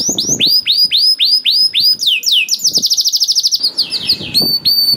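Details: Canary singing to encourage silent canaries to join in: evenly spaced arching whistled notes, then a quickening roll of falling sweeps into a fast trill, finishing with a few high clipped notes.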